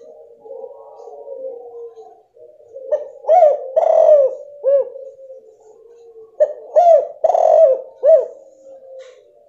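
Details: Female spotted dove call, used to provoke a male that has stopped calling. Soft, low coos in short groups of three or four rounded notes with pauses between them, over a steady low hum.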